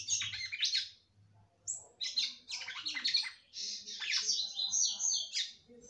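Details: Captive female red-cowled cardinal singing heavily to stimulate her male: bursts of sharp, high downward-sweeping chirps mixed with brief whistled notes, delivered in quick phrases separated by short pauses, with a faint low hum in the background.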